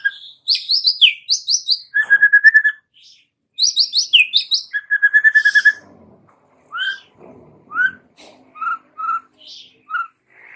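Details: White-rumped shama song used as a lure to set young wild-caught birds singing: bright whistled and chattering phrases, a burst of quick descending notes then a steady buzzy trill, repeated twice, followed by spaced short rising whistles.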